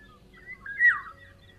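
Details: Eurasian Golden Oriole, a bright yellow bird with black wings, delivering a single short fluting whistle with a quick upward then downward slur, clear against faint low background noise.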